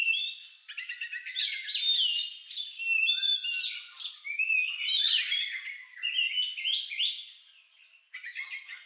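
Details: Oriental magpie-robin singing an unusual song likened to a lovebird's, used to prompt other birds to sing: a dense, continuous run of high whistles, chirps and buzzy trills with rapid pitch jumps, pausing briefly near the end.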